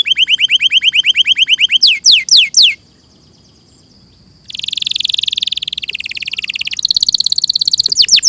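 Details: Canary singing in a clear tutor recording: high, fast descending trills and sweeping notes, a short pause, then a buzzy rolling trill and rapid chirps.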